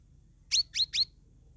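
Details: Grey-bellied bulbul singing to prompt stalled cage birds: three quick, high, slurred notes in a row, each with a bright rising tail, over a faint low hum.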